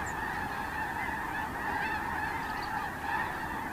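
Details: Massed snow geese at Terranova, recorded Monday 9 October 2017, produce a constant wall of overlapping honking calls. The clamour stays loud and level with no clear gaps.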